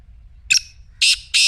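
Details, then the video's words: Black francolin calling, a sound offered to set a silent partridge calling: one short harsh note, then two longer grating, buzzy bursts about a third of a second apart, loud against a quiet low hum. "کالے تیتر کی مدھر بولی | اب خاموش تیتر بھی بولے گا/ Black Teetar Voice"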